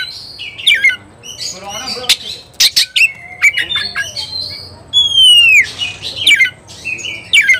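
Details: Oriental magpie-robin (kacer) singing vigorously, agitated and seeking a rival to fight; loud varied phrases of sharp whistles, harsh rasping notes and a long downslurred whistle, with short pauses between bursts.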